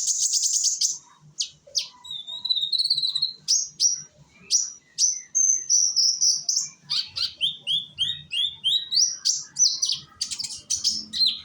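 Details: Young sunbird singing in Indonesia, used as a lure to prompt other birds to sing: long run of high sharp chips and thin whistled slurs, some buzzy trills, delivered rapidly with brief pauses, faint low hum beneath.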